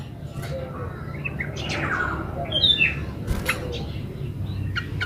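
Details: Yellow-vented bulbul singing in 'gacor ulpik ropel' style, a recording meant to lure other bulbuls into replying; quick bright whistled notes and rolling phrases midway, over constant low background hum.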